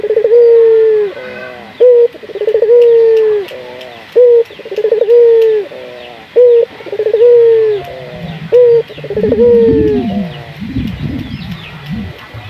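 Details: Local puter dove cooing as a lure so other puter doves start singing: repeated phrases of a brief clipped note, a rattling stutter and a drawn-out level coo. Low rumbling noise enters toward the end, with faint chirps behind.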